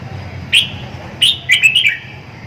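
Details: Red-whiskered bulbul giving a brief whistle, then two more quick whistled phrases ending in a tumbling, downward slur; a low hum runs beneath.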